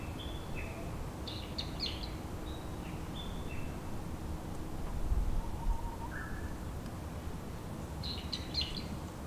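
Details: Japanese white-eyes seeking nectar among cherry trees in full bloom give scattered thin, high chirps and short twittering bursts, some rising and some falling, over a loud, steady, low wind-like rush.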